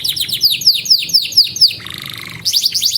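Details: Canary singing as a tutor for young birds and a prompt for canaries that stopped singing: quick falling whistled notes repeated in a run, a brief buzzy rasping burst, then more sharp high chirps.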